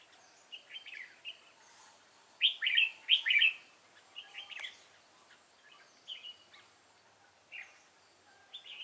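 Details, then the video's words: Decoy red-whiskered bulbul in a fighting trap in Vietnam: short, sharp, whistled chirping phrases, loudest as a pair of rich bursts near the middle, then sparser single notes spaced about a second apart. "chào mào hót hay"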